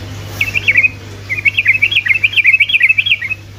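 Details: Sooty-headed bulbul singing to stir other bulbuls: a short bright phrase, then a long rapid trill of clear zigzagging notes, strong and loud against a quiet background hum.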